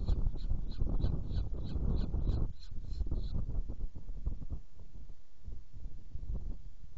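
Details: Saker falcon at a feeding, Hungary, 7 May 2017, utters a quick run of sharp, rasping notes for about three seconds before falling silent. Heavy low rumbling noise continues throughout.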